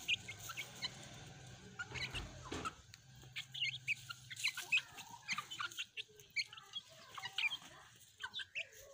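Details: Pet hens and chicks playing, with scattered clucks and bright high peeps in irregular clusters, a dull thump near the start and a low hum beneath.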